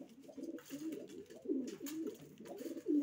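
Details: Racing pigeons cooing close by: low, bubbling coos rising and falling, repeated without pause.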